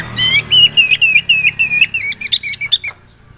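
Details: Oriental magpie-robin singing to provoke rival birds: a string of clear, repeated downslurred whistled notes, then quicker sharp chips speeding up before the phrase ends.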